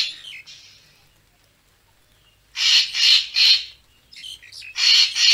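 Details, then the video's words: Racket-tailed treepie playback meant to attract birds for photography: faint notes fade into a pause, then three loud grating bursts, a quick stuttering chatter and two more harsh calls. "เสียงนกกาแวน คมชัด Racket-tailed Treepie sound"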